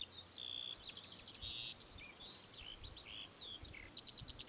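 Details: Temminck's stint giving a high, ringing run of rapid trills and short flat buzzy notes, alternating quickly with upslurred chips, over soft background noise.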